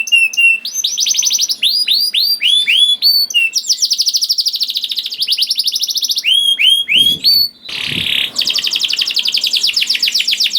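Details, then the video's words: Young canary singing, used to prompt reluctant canaries to sing: fast trills of repeated notes alternate with looping rising-falling whistles, high and bright, with a brief noisy rustle near the eighth second before trilling resumes. "PANCINGAN KENARI PAUD TERBUKTI AMPUH MEMANCING KENARI SUSAH BUNYI IKUT GACOR #244 || VOICE OF CANARY"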